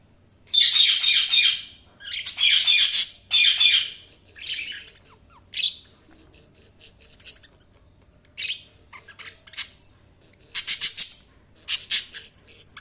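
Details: Budgerigars chirping: three loud raspy bursts at the start, then sparser short chirps and brief chatter phrases scattered over the rest.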